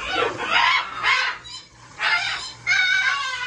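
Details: Blue parrot bathing in a sink gives harsh, broadband screeching squawks in four loud bursts, raspy and noisy rather than tonal, indoors; a person speaks right afterward.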